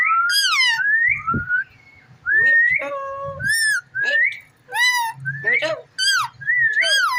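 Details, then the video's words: Pet ring-necked parakeet indoors producing a busy run of whistled phrases: sliding rising and falling whistles, some harmonic-rich chatter and short talking-like bursts, with soft low room noise beneath. "Amazing parrot talking funny clips"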